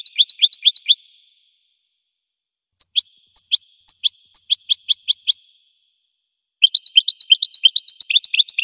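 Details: Goldfinch singing: three bursts of rapid, high twittering notes, each a quick run of sharp rising chirps and bright metallic accents, separated by short silences; clean recording with no other sounds.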